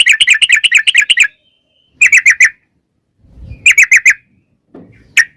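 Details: Sooty-headed bulbul used as a lure to make birds sing: three rapid trilled bursts of sharp chirped notes, each about a second long, separated by pauses, ending with a single note after a low rumble.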